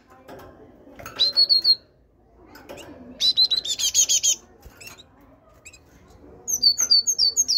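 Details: Great tit, a caged bird raised in captivity, singing three bursts of rapid, high, ringing whistled notes, the middle burst dense and buzzy, with quiet gaps and faint indoor sounds between.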